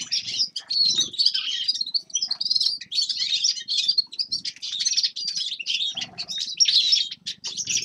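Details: Several forest birds in winter keep up a busy, overlapping twitter of high chirps and trills, joined by occasional soft low thumps or rustles beneath the singing.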